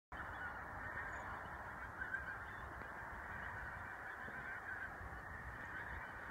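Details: A flock of Todd's Canada geese (Branta canadensis interior) at Castle Stewart, Inverness-shire, on 16 December 2017, gives a dense, unbroken chorus of overlapping nasal, mid-pitched honks.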